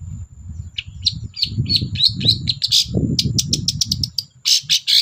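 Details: Long-tailed shrike in full chattering song, played to coax silent shrikes into singing: a varied run of squeaky, buzzy and sharp high notes over a steady low rumbling background.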